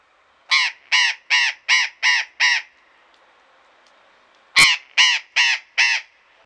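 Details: Burrowing parrot calling on a February 2018 afternoon in the Deanery garden, Pelhřimov, Czech Republic: a steady series of six raspy, nasal squawks, a pause of about two seconds, then a louder sharp note followed by three more.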